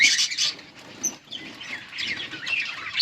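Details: Budgerigars feeding chicks during breeding: bursts of high, harsh chattering chirps at the start and end, with softer scattered twittering between.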